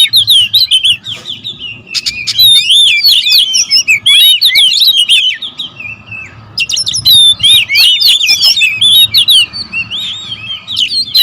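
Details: A group of kacer, oriental magpie-robins guarding territory, singing in a loud clamour. Long bouts of crowded whistles, trills and sharp chirps are broken by short gaps, with several birds clearly overlapping.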